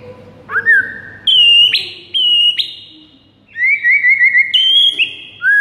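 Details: White-rumped shama in the morning, used as a training recording to get birds singing: loud, pure whistled notes held at steady pitches, some rising sharply, then a quick run of wavering trilled whistles, with short silent gaps between phrases.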